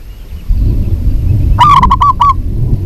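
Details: Local zebra dove hen calling for a male, a single short burst of five quick, soft coo notes rising out of constant low-pitched background hum.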